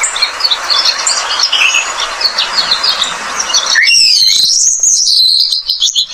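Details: Soft scattered high chirps from an Australian pipit, a pest bird noted for melodious song, give way after nearly four seconds to a loud rising whistled and warbling phrase.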